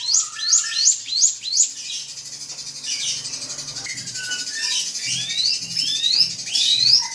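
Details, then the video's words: Drongo singing to provoke an opponent: a quick run of sharp, high chips, then a softer jumble, then several rising whistled sweeps, with faint low rustling. "SRIGUNTING PANCING EMOSI LAWAN"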